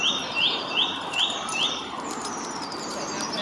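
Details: High in a tree at Pittencrieff Park in Dunfermline, Scotland, a song thrush repeats one short upswept whistle five times, roughly every 0.4 seconds. The series then stops and only faint background noise remains.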